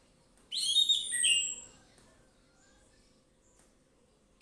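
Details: Orange-headed thrush singing a single short, high, rich phrase of slurred whistles lasting about a second, then quiet, with another phrase just starting at the end.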